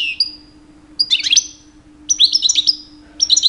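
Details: Short, separated bursts of high, liquid twittered notes and thin drawn-out whistles from a two-year-old male European goldfinch singing in the mating season to attract females.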